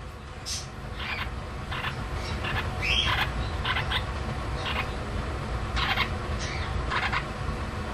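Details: A young lutino lineolated parakeet "beeps" indoors, giving short, scratchy beeping chirps, about ten in eight seconds, over a steady low indoor rumble.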